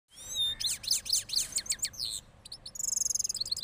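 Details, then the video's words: Cross goldfinch, a hybrid, from Parachinar singing its rolling song after moulting: opening thin rising whistles, then rapid high buzzy twitters and a fast trilled run at the end. "Cross Gold Finch Part 3 After Moulting Rolling Songs"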